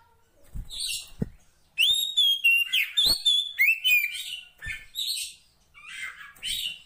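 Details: Female Oriental magpie-robin calling the male: a loud run of whistled, slurred notes with harmonics, some rising and falling, repeated rapidly after a few soft clicks at the start, with brief pauses between phrases.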